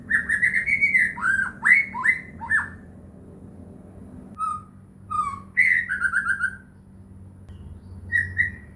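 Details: White-rumped shama (murai batu) song used as a lure to prompt silent caged shamas to sing: a busy run of slurred whistles, scattered short notes, another warbled burst, then a final whistle.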